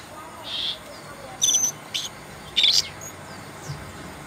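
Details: Asian brown flycatcher giving a few sparse, thin, very high chirps spaced about a second apart, with short faint notes between them over a quiet background.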